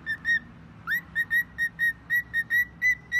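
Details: Pet bird giving phone-like sounds: a steady run of short, clear whistled notes at one pitch, often in pairs, with one rising swoop near the start, about fourteen notes in three seconds.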